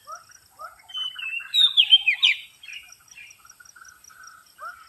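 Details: Oriental magpie-robin lure sound: short low whistles, then a loud tumbling burst of whistled and scratchy slurred notes, followed by softer repeated notes and a faint high ticking pulse.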